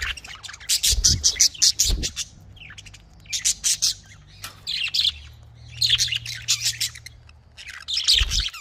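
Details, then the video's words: Loud budgerigar chatter in rapid trains of sharp chirps separated by short pauses, with a few low thumps. "Australian parrot voice|Australian parrot ki awaz"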